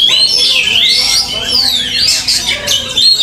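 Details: Oriental magpie-robin during field mental-training sessions, delivering bright, fluid whistled phrases that swoop up and down, with quick sharp notes near the end and faint background chatter.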